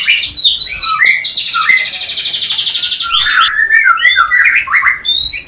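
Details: Captive white-rumped shama, played to stimulate breeding desire in a new pair not yet producing; rich clear whistles sliding up and down, then a fast buzzy trill held about two seconds, followed by varied whistled phrases.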